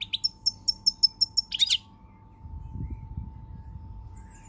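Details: European goldfinch song from 20 March 2020: a quick run of about eight evenly spaced high twittering notes ending in a denser burst, followed by low rumbling background noise.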